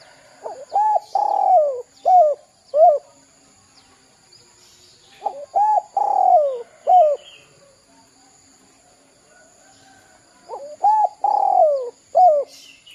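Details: Lure recording of a spotted dove meant to draw calls from young birds. Three cooing phrases come about every five seconds, each with short hooked coos around a longer descending drawn note.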